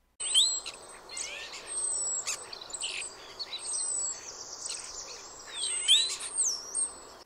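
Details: European Starling, heard in winter in eastern North America, runs a jumbled medley of high slurred whistles, rattling crackles and harsh squawks, with a thin sliding whistle near the start and again near the end.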